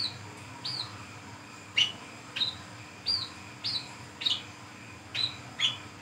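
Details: Brown-throated sunbird singing 'ngriwik ngeplong' at night in the forest, a sound used to lure others: nine bright, high, hooked chirps at fairly steady half-second intervals, over a faint continuous hum.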